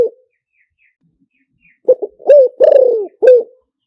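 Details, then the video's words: After nearly two seconds of quiet, a spotted dove decoy phrase in 'liu tan' style: stuttered short coos, a rounded coo, a long falling vibrating coo and a crisp last note. "เสียงต่อนกเขาใหญ่หมานๆ, เสียงนกเขาใหญ่ ต่อเข้าเร็ว เสียงหลิ่วตัน"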